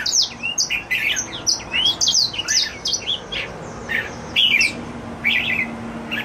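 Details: Caged red-whiskered bulbul singing cheerfully in a small room: a fast, lively stream of sweet whistled and chirping notes with quick up-and-down slurs, nearly continuous, then slowing into spaced phrases near the end.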